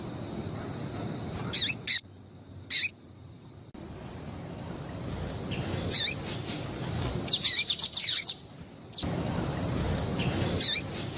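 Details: Female yellow-bellied seedeater calling, meant to warm males up into singing. Scattered high chirps with abrupt silent gaps, then a quick series of about six sharp notes and a few later single calls over background hiss.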